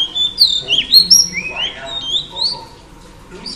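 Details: Oriental Magpie Robin female singing to stimulate males, with loud slurred whistles rising and dipping in quick sequence, fading into softer notes near the end.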